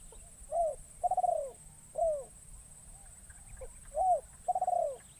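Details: Spotted dove, a lure bird brought into the wild forest to call in wild doves, repeating its cooing phrase twice: short swooping hoots and a longer pulsed coo, evenly spaced, with a faint steady hiss.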